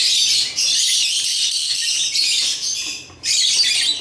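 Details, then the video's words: African lovebirds playing with toys, giving dense, shrill chattering chirps high in pitch, broken by brief pauses near half a second and three seconds. "Love birds chirping & playing toys"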